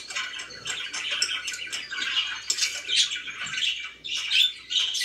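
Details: Pet budgerigars chirping in a relaxed mood, a dense stream of short buzzy chirps and squawks around the upper register, overlapping calls rising and falling in loudness with no steady rhythm.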